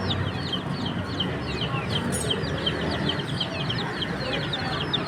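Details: Chicken chicks in a group, thin high chirps sliding downward and overlapping in a constant flow, with a short brighter hiss near the middle and deep background hum.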